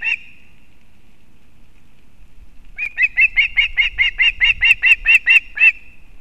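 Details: Osprey (Pandion haliaetus) female at the Kurzeme nest in Latvia delivering fish to a chick, late August 2024: a brief opening note, a pause of nearly three seconds, then about twelve quick, piercing whistled chirps in a rapid string before it stops.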